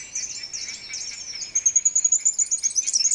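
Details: Splendid fairywren song in the very early morning near Cape Naturaliste: very high, thin twittering that breaks into a fast, even reel of sharp repeated notes, about seven per second.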